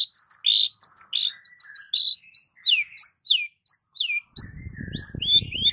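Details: Long-tailed shrike (cendet) lure song (pancingan) with many varied song phrases: rapid high chirps and sweeping downward whistled notes in quick succession, with a low rumbling noise entering near the end.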